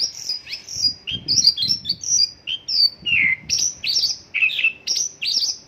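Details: Isian lokalan song of a Mongolian lark, a repertoire of borrowed local bird phrases: high clipped whistles alternating with lower buzzy notes, given in short bursts about every half second.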